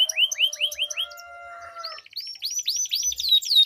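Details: Canary duel, lure for jammed canaries: looping downward notes, a few held pure whistled tones, then a series of clear arched rising-and-falling whistles.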